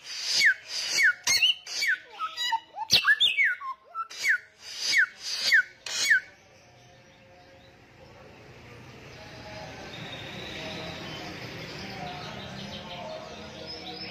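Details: Samyong songbird singing loudly and relentlessly for about six seconds with rapid buzzy bursts and downslurred whistles, then the song stops and only a faint, steady hiss of background noise remains.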